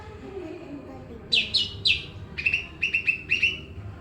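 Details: Pakpak greater green leafbird singing strongly amid noise: three descending sharp notes followed by quick paired chirps repeated several times, bright and ringing above a low steady hum.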